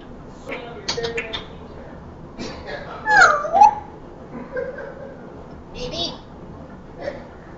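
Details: Pet African grey parrot, said to speak English, Spanish and Vietnamese, indoors: short speech-like phrases in a chattering rhythm, then a loud warbling whistle in the middle, followed by more brief word-like bursts and a quick giggle-like sound.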